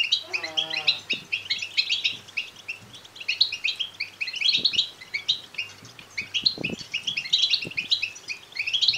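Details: European goldfinch chicks' begging calls, used to prompt males to sing and mate: dense, rapid high chirping throughout, a brief low rattling buzz at the start and a few faint knocks.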